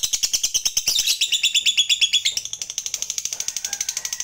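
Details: Lovebird fighter in long 'ngekek panjang' chatter, used as a lure recording to provoke other lovebirds: a fast, high, buzzy trill of rapid repeated notes, several per second, run on without a break indoors.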